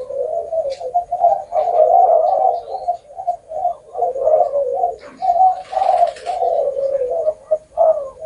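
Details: Spotted dove with a long-ending coo of nine to ten notes or more; a long run of deep, mellow coos pulses on and off for several seconds with small breaks and one faint rustle.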